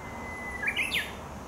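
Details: Japanese bush warbler in a Yokohama forest on a sunny break in the rainy season, 17 June 2016: a faint steady whistle runs into a quick bright three-note flourish, the last dropping; Japanese tits and woodpeckers also audible.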